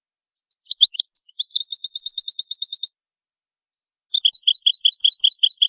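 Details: European goldfinch pure song for training songbirds: several loose high chirps lead into a fast, regular string of bright repeated notes, a silent gap, then a slower series of paired, liquid twittering notes.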